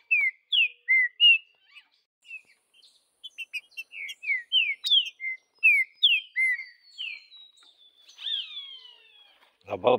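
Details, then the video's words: Green-winged saltator singing in the bush: a long run of rich, clear whistled notes repeated briskly, mostly downslurred, with a drawn-out fading whistle near the end and a sharp noise at the close. "Trinca ferro Vidigal no mato"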